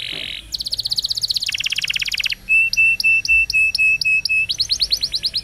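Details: Canary song from a training recording for young canaries. A brief buzzy note gives way to fast trilled rolls. These are followed by a steady run of clear repeated whistled pips, then rapid rising chirps, all at high pitch.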